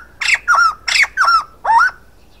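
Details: A male white-crested laughingthrush calling: five harsh, squawking notes in quick succession, each a rough burst falling into a bent, nasal whistle, with nothing else heard.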